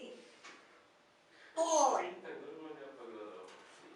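A grey parrot talks in speech-like mimicry, with one louder, harsher exclamation in the middle, in a quiet indoor room.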